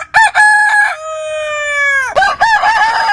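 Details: Loud, clear rooster crow: quick stuttering syllables, a held note of about one second that bends downward, then wavering notes of a second crow closing the sound.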